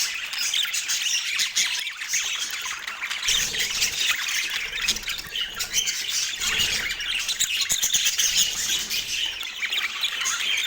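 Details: Parakeets during an autumn morning meal give a constant mix of shrill chirps, squawks and twittering, several birds overlapping without pause, with some low thumps in the middle.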